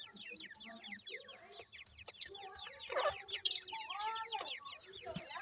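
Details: Chicks of the grey francolin calling together: steady streams of short, high, falling cheeps from several birds, with a lower drawn-out note near the end and occasional crackling noise.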